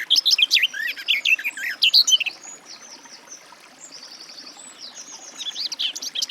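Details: Garden warbler (Sylvia borin) pouring out a quick, chattering warble, interrupted by thin, high drawn-out notes from another bird before the warbling resumes at the end.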